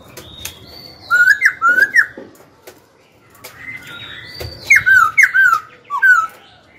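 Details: Black-throated laughingthrush singing to stir rivals into dueling and to train young birds' voices: two bursts of rich whistled, looping notes, each a quick run of four or five upslurred phrases, separated by a short pause with clicks.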